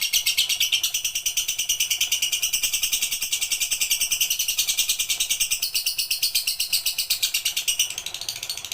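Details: Lovebird song, full pigter style, meant as training material: an unbroken, buzzing high chatter of tightly spaced pulses, loud at first and fading slightly toward the end.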